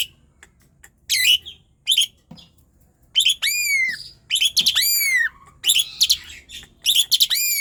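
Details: Asian pied starling in persistent song, played to stir sluggish, lazy starlings into singing: loud high whistles sweeping down in arcs, mixed with harsh grating bursts and short chattering notes in uneven phrases.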